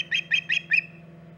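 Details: Osprey at the Hog Island nest, 14 August 2019, around 11:45 am EDT: four harsh, squawking notes about a fifth of a second apart, the last one trailing off.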